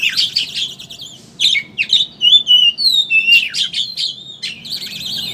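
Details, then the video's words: Kacer, oriental magpie-robin, ngeriwik chatter meant to make caged birds sing with open beaks: buzzy chattering, then clear sweeping whistles and harsh rasps, ending in a steady buzzy trill. "Suara Burung Pancingan Kacer Ngeriwik Agar Ngeplong Buka Paruh"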